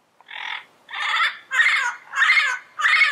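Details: Wild yellow-headed parrot in its natural environment giving five harsh, raspy squawks in a row, each about half a second long, with short gaps between them.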